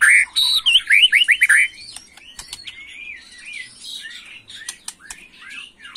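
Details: White-rumped shama in agitated macul-style song: a loud burst of quick slurred whistles for almost two seconds, followed by softer scattered chirps, long rising whistles and sharp clicks.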